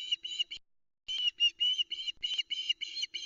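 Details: Female osprey shouting on the nest at Loch Arkaig, Arkaig Community Forest, on the afternoon of 26 August 2020, as the male arrives with a live mackerel; nest cam. Bright whistled notes come in rapid repeated bursts, broken by one short pause.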